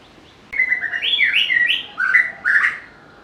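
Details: White-rumped shama singing a short series of clear whistled phrases: a flat opening note, then rising and falling slurs climbing higher, followed by two separate lower whistled bursts after brief pauses; quiet background.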